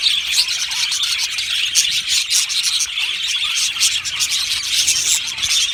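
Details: Australian budgerigar colony in an aviary, many birds singing and chirping at once: a dense, continuous wash of high warbling, twittering and short chirps with no pauses.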